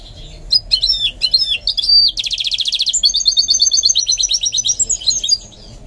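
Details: Goldfinch mule being trained to sing: a fast, varied song of high twittering notes and slurred whistles, a dense buzzing rattle, then a long run of rapid, evenly repeated chirps.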